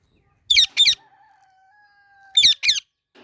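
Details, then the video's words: Parrots calling while eating mango: two pairs of harsh, raspy squawks about two seconds apart, separated by a steady, level tone. "Parrots Making Cute Sounds"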